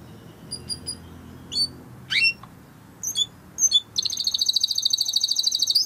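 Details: Timbrado canary singing a training song against faint low background hum: scattered short chirps and sweeping notes, then a long rapid buzzy trill.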